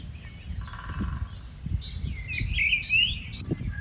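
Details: Rufous-tailed scrub robin song: a rich, tumbling run of quick whistled notes climbing and dropping for about a second, amid a buzzy trill from another bird, high thin calls and low background noise.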